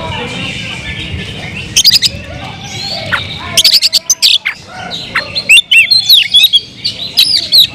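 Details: Oriental magpie-robin (kacer) singing to provoke rival magpie-robins; after a quiet opening, harsh chattering bursts give way to fast twisting whistled notes and sharp chips in a dense run.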